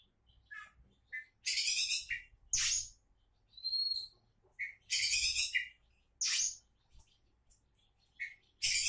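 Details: Oriental magpie-robin, known locally as kacer and called a champion candidate, alternating loud harsh rasping bursts with a double pure whistled note. About seventeen phrases a minute, irregularly spaced.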